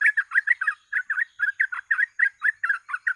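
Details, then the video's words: Sooty-headed bulbul lure recording for trapping birds, gacor ropel style: an unbroken stream of bubbly, chirpy notes repeated several times a second, steady and loud throughout. "BURUNG TRUCUK FULL GACOR ROPEL,PANCINGAN TER'AMPUH"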